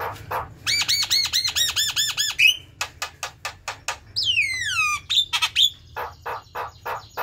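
A Javan myna runs through a varied song: fast rows of bright arched whistles, sharp clicks and chatters, and long sliding falling whistles, with a low hum underneath.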